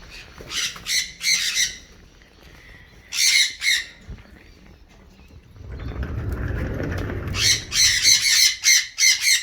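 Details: Wild galahs feeding on seeds in an Australian backyard, rosellas nearby: scattered harsh screech bursts, then a spell of rustling, wing-like noise, and a closing run of rapid, rasping screeches repeated several times a second.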